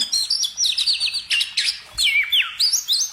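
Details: Brief burst of high bird song: fluty whistled notes wavering up and down, quick chips, and a falling slurred whistle near the end.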